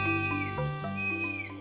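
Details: Striped Owl at night in trees gives two high, drawn-out whistles, each sliding steeply downward, about a second apart, over a steady low musical drone.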